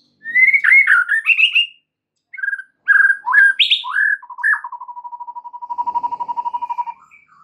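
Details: Shama song meant to provoke other white-rumped shamas into singing: bright varied whistles and slurred notes, then a long, steady, low-pitched trill of rapid repeated notes fading at the end.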